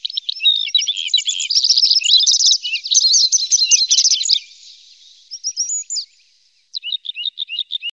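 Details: Red-spotted bluethroat in Norway, one of a pair with young; a loud rich jumble of rapid chirps, trills and twitters for about four seconds, a brief lull, then short clipped repeated notes.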